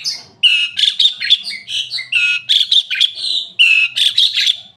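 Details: Chattering Asian pied starling song built from fast jumbled whistles and squeaky notes about forty times a minute, with irregular rhythm and a soft hum in the background.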